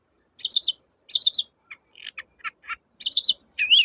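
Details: A long-tailed shrike in lively 'toet-toet' song, used as a lure for shrikes that have stopped singing: buzzy, trilled high phrases alternate with a run of lower, clipped whistles and end in a rising whistle.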